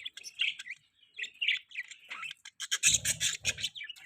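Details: Budgerigars calling to mate, a run of warbling chirps and scratchy twitters that grows busier and louder toward the end, mixed with low knocking bursts.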